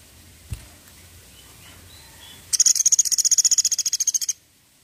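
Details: Woodpecker, known locally as pelatuk sampit, giving its 'tembakan' call: after a quiet start and a single soft knock, a burst of about twenty sharp, very high notes fires off at roughly ten per second for two seconds, then stops abruptly.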